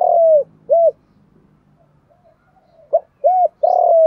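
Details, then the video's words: Decoy spotted dove used for trapping, cooing in the 'giọng thổ' voice: a long falling coo and an arched note close one phrase, then after a pause a sharp note, an arched coo and a long sliding coo begin the next. "Tiếng cu gáy GIỌNG THỔ"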